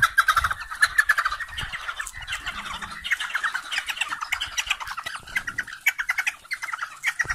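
Arabian partridges give harsh, rapid chattering cackles, several birds overlapping in a busy run of grating notes, about one burst per second.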